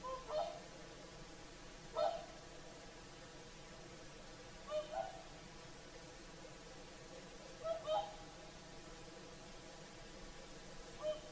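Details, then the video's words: Several whooper swans sing at sunset on the shore of Lake Saimaa, Finland, in an evening chorus; repeated bugling, trumpet-like honks, often in doubled notes, spaced every two to three seconds across a calm, quiet backdrop. "Swans singing at sunset"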